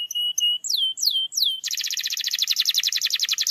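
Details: Canary singing to prompt a quiet canary to start: flat whistled notes, a few downward swoops, then a long fast rolling trill.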